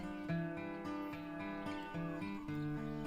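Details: Plucked acoustic guitar music, with steady notes and soft strums and no animal voice.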